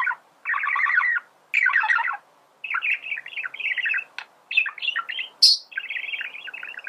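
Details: Male budgerigar warbling in fast, scratchy chattering bursts of pulsed notes, with clicks and one piercing high squeak toward the end.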